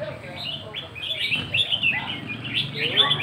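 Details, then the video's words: Red-whiskered bulbul singing in a counted-phrase (nap dok) style, giving short bright whistled phrases that jump and slur between notes, with a low background hum and faint murmur. "เสียงนกกรงหัวจุก นกกรงหัวจุกนับดอก"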